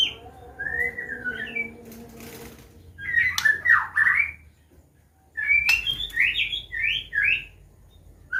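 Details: White-rumped shama from the Medan line singing a combination song in 'ngeplong' style to prompt learning young birds: a slurred whistle, a pause, then loud bursts of fast warbled and upslurred whistled phrases.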